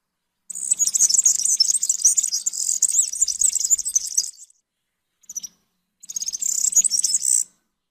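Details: European serin song: a high, fast jingling, buzzy stream of tinkling notes lasting about four seconds, a short pause with a brief chip, then another rapid glassy burst.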